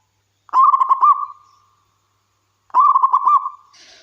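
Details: Local wild-caught zebra dove in full voice, used to draw other doves into singing. Two coo phrases about two seconds apart, each a burst of rapid, bubbling notes easing into a sustained, level purr. A brief hiss closes.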